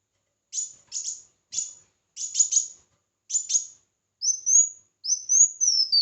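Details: Red-whiskered bulbul in competitive singing, starting with short paired chirps repeated at intervals, then switching to two long smooth rising-and-falling whistles.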